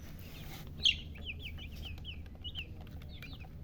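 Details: Chicks peeping with one sharp loud note, then a run of quieter wavering high chirps, with a low hum underneath.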